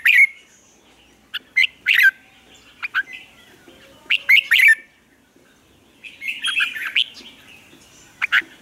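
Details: Lure Red-whiskered bulbul in a cage singing to coach other bulbuls: repeated loud whistled and chirping phrases every second or so, some bursts doubled, followed by a longer jumbled warbling run and a final sharp note.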